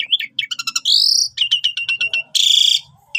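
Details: Jalak suren (Javan pied starling) singing as bait for trapping: quick chirps, a bright rising whistle, a run of evenly spaced clipped notes, then a loud harsh grating burst.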